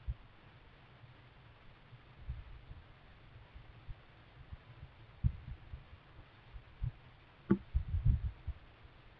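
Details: Inside a kestrel nest box, quiet hiss is broken by dull low thumps and knocks, with one brief scrape near the end.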